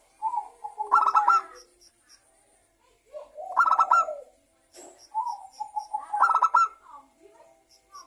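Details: Local zebra dove singing, used as a lure so other doves call; three phrases roughly every two and a half seconds, each a short coo rising into a clipped rattling burst.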